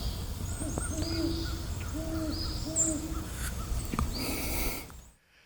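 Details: Great Horned Owl pair in a tree at Bois D'Arc WMA near Hope, Arkansas, 19 November 2025. The male gives four short hoots with a central break and the female about seven; thin high bird notes and a low rumble sound behind.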